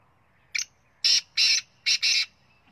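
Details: Harsh phrase of a black francolin (kala teetar) from Punjab: one quick short note, a pause, then four broad grating notes with the final two nearly merged, in otherwise near silence.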